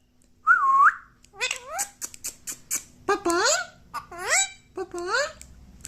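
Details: Talking pet parrot indoors, known for saying "Mummy Papa": one looping whistle, then a run of squeaky, speech-like syllables with swooping harmonics, about two per second, in a quiet small room.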